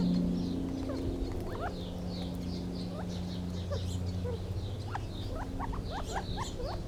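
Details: Gambel's quail giving scattered short upslurred chips and clucks, several overlapping, with a few thin high chirps, over a steady low mechanical hum.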